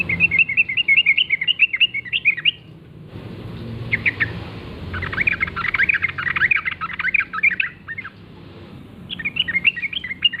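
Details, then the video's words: Yellow-vented bulbul, wild, calling actively in a forest at morning. Bubbly, chattering phrases of quick warbled notes come in bursts, with a dense jumble in the middle, over steady low background hum. "trucukan gacor ngalas pagi hari suara khas trucukan liar"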